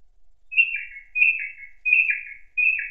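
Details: Thrush singing in an autumn forest, a melodious song: four similar clear phrases about every 0.65 seconds, each a bright note stepping down into a lower trailing whistle, with quiet surroundings.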